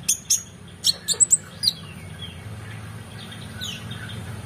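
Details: Oriental magpie-robin singing as a tutor recording for competition birds: several sharp, high, whistled notes in quick succession, then near silence with a faint low hum in the background.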